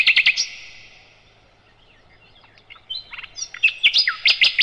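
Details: Clear song of a sikatan londo, called nightingale, used as a master for other caged birds: a few quick sharp notes, a long hush, then scattered swooping whistles and loud clipped chirps.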